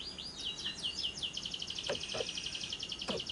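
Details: Lovebird long ngekek trill meant to draw other lovebirds into singing: swooping chirps leading into a fast, level, high chatter, with a few dull clicks in the background.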